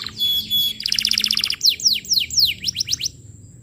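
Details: Lively canary song meant to tutor young canaries: a thin steady whistle, then a fast, bubbling trill of repeated notes, followed by several sharp, falling whistled sweeps.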